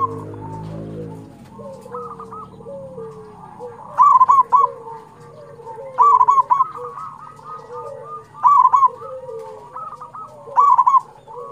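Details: A local zebra dove sings to prompt other doves: four loud bubbly, trilling coo phrases roughly every two to two and a half seconds, over a bed of softer cooing; brief low hum at the start.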